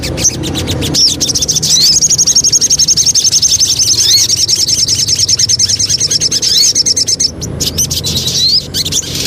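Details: Lure song of a Javan cochoa: a long, even, rapid high trill of repeated notes running about six seconds, framed by sharp chips and a rising whistle at the end.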